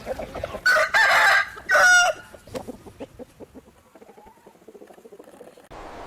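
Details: Rooster crowing in Taiwan: a loud, strained cock-a-doodle-doo in a few harsh bursts, followed by softer irregular clucking.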